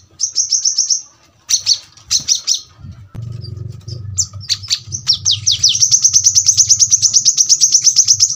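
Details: Brown-throated sunbird delivering a tightly packed, very sharp song style. Short high rattles and falling slurs build into a long, fast, even trill of piercing notes. Faint low hum underneath.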